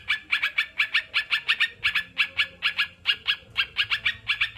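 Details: Sooty-headed bulbul delivering a steady run of fast, grating notes in short bunches, barely pausing; part of a therapy recording to help captive birds sing and stay unstressed.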